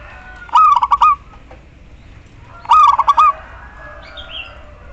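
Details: ['Calling female local zebra dove, meant to attract the male and prompt silent males to sing. Two bursts of four quick cooing notes, each closing with a longer note, come roughly two seconds apart over faint background noise.']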